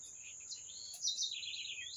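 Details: Short bird song: soft chirps, then a louder bright burst that trails off into descending twitters, over an unbroken high-pitched drone.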